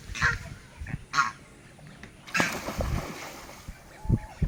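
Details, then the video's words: A group of swans trumpeting: loud, hoarse, honking notes in short bursts about a second apart, over low rumbling water and splashing. "Swan Sound | A Group Of Swans Making Sound"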